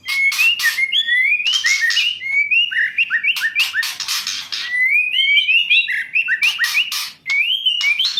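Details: Female white-rumped shama singing to provoke idle males to sing: continuous stream of clear rising whistles interleaved with harsh buzzy chatters, phrases rolling almost without break, one short gap near the end, no other sounds.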